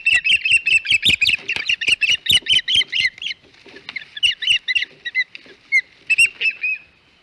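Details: Osprey at the Hog Island nest on 21 May 2021, giving a fast run of loud, piercing chirps in quick succession, then a looser, softer set of scattered chirps with short gaps before fading out.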